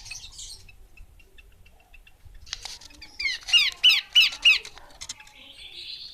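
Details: Female Horsfield's babbler giving a short burst of soft chattering notes, then four loud, clear, rising whistled notes about a third of a second apart, closing with a thin, drawn-out buzzy tone.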